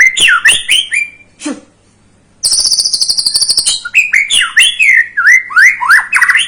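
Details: White-rumped shama song used as a lure to excite a young bird into singing: loud whistled phrases sliding around mid pitch, a short pause, then a long fast buzzy rattle, followed by more varied rising and falling whistles.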